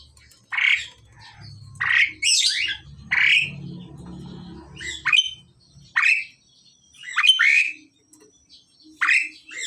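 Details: A male and a female Asian pied starling in the process of pairing trade harsh, squawky, chattering calls, loud bursts every second or so, with a low hum underneath in the first half.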